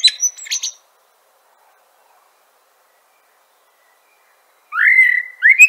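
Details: Common blackbird: a high scratchy twitter ends one phrase, a long silence follows, then a new rich whistle rises and holds, fluty and clear.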